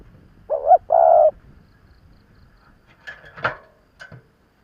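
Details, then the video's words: Spotted dove, an experienced decoy bird calling to provoke wild rivals, gives two low, hollow coos, a short note then a longer one. A few clattering knocks and faint rustles follow. "Tiếng chim cu gáy mồi già kích bổi"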